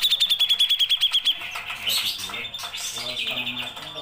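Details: Grey-cheeked bulbul in full song: a fast, evenly pulsed series of about a dozen high ringing notes over the first second, followed by a jumble of scratchy chatter and softer warbled notes.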